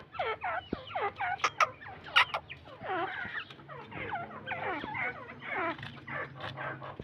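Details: Iranian teetar (partridge) calls: dense, overlapping chattering and chuckling notes from several birds, rising and falling bursts with no pause, with a faint low hum underneath.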